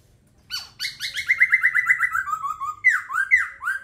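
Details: Laughingthrush song: a fast run of about a dozen short, repeated downslurred whistles that drop gradually in pitch, followed by a few louder swooping notes.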